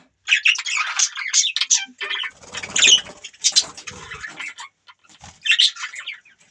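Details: Pet budgies twitter in bursts of raspy, buzzy chirps and warbles separated by short pauses, with one brief flurry near the end.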